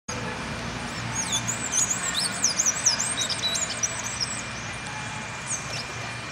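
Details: Blue-grey Tanager in Lima, Peru, where it was introduced around 1970, giving a busy run of thin, high, squeaky chirps and twittering notes, with a steady low rumble of distant traffic underneath.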